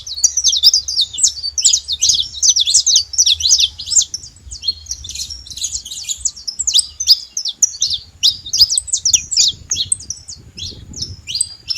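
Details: Saffron finch free in nature, singing a long, dense stream of high, sharp chips and quick downstrokes, nearly three notes per second, briefly pausing midway before resuming, with low rumble faintly heard.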